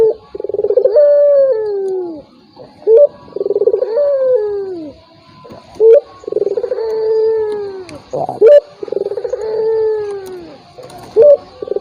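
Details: Lure call of a turtle dove meant to goad a silent rival: four full phrases, each a sharp rising note followed by a long throbbing coo that sinks in pitch at the end.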